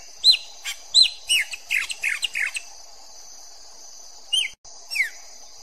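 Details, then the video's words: A chopi blackbird (Gnorimopsar chopi) sings a quick run of clear downslurred whistles and chips, then pauses before two more falling notes, with a steady high hiss behind. "PÁSSARO PRETO - Canto Puro bonito de se Ouvir"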